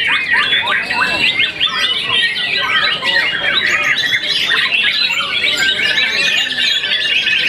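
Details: White-rumped shama, a young bird after its first moult that has won a contest, singing rapid complex phrases of sharp whistles and chattering, squawky notes, ending in a long stream of high rolled notes.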